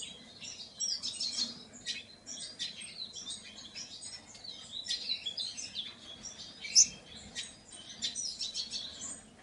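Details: Painted bunting softly warbling high, fast twittering phrases with short pauses and one sharp, louder high chip near the end.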